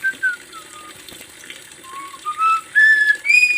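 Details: Javan myna, a master lure recording for training: slow, spaced whistles sliding downward, then louder, longer whistled phrases that climb higher toward the end, over faint background hiss.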